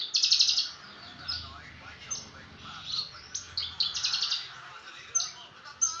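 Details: Brenjangan singing as training audio: a loud, fast rattling burst opens, followed by sharp chirps, short whistles and rattled trills repeated several times a second.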